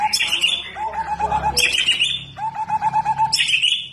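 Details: White-rumped shama (murai batu) with a fighting temperament, ready for song contests: loud phrases that open with a sharp high burst, then a run of about seven quick, even, pulsed whistles on a lower pitch, repeated twice.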